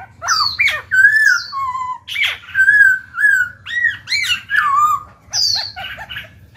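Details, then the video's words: Caged Black-throated laughingthrush singing to spur untrained birds into song: rich, loud whistled phrases with looping, sliding notes and bright overtones, delivered in quick successive bursts with brief pauses between. "Khiếu bạc má chuyền hót kích bổi mở mỏ ngay."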